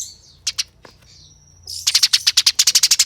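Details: Eurasian tree sparrow fighting: a few isolated chips, then a sudden fast, dense series of grating notes that keeps going to the end.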